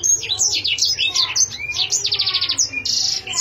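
A canary sings a fast, continuous, high-pitched run of varied sweeps and whistles, broken by a rapid, rattling trill.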